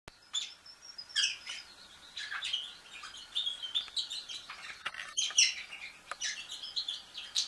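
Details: A canary begging food from a budgie gives rapid, high, wheezy chirps.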